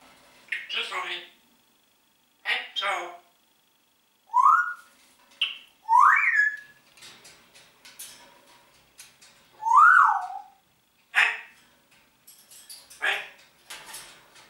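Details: Captive Congo grey parrot talking indoors, greeting "Guten Morgen": spaced short vocal bursts, some speech-like syllables and a few rising whistled slurs, with quiet gaps between.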